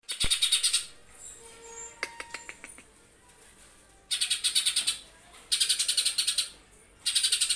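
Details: Lesser green leafbird in competition singing, delivering a harsh 'tembakan kasar' (rough shot) style song: loud, buzzy, rapid rattling bursts at high pitch, four bursts separated by quieter gaps with a few thin whistles and clicks.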